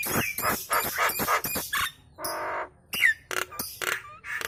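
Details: Kemrewek chatter from a Nias hill myna that sets other birds calling: a dense run of rough, noisy squawks, a long rasping buzz, then scattered sharp whistles and clicks.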